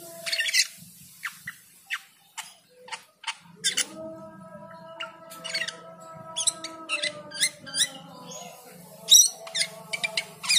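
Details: Cucak keling in full song while the call to prayer sounds: sharp, clicking chips and short squeaky bursts scattered irregularly, overlaid on the sustained, wavering tones of the call to prayer.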